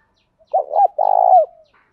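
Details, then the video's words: Spotted dove coo for urging other doves to call, as used in daily dove training; a clipped double note, then a long burring coo ending in a slurred downward fall. "tieng cu gáy thúc va gay goi chim cu gay kich boi nhanh noi hiệu quả, cu đất gáy giọng hay, cu gáy"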